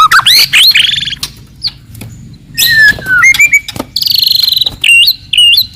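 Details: Clear, loud song of a forest white-rumped shama, delivered aggressively to stir rivals: high rising whistles, buzzy trills and a fast stuttering rattle, interspersed with brief pauses and sharp clicks.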